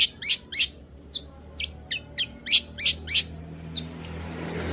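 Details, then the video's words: Long-tailed shrike in full voice, recorded as a lure to stir quiet shrikes into singing: harsh, scratchy high notes in quick bursts, about three per second, fading near the end over a low background rumble. "Pancingan Cendet Gacor Untuk Menaikkan Birahi cendet Malas Bunyi"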